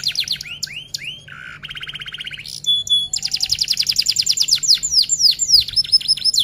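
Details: Lively F1 canary, song in the long-rolling 'rol tembak' style for training other birds: quick slurred notes, a low buzzy trill, a higher rattling roll, then a long rapid series of pulsed notes and sharp descending whistles.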